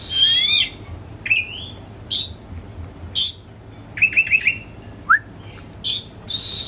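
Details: Hobby-kept Oriental magpie-robin whose song lures a reluctant bird to sing: separate phrases of swooping whistles, clipped trills and rasping bursts, spaced by brief pauses over faint room noise.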